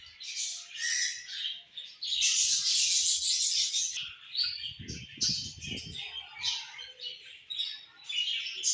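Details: Budgerigars sing in the evening with loud, rapid chattering and high chirps in surging bursts, and a few soft low thumps can be heard midway.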